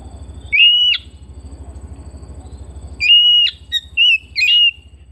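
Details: Home-kept Oriental magpie-robin repeating held, level whistles with sliding starts: one, then after a gap a run of four in quick succession, over a low steady hum.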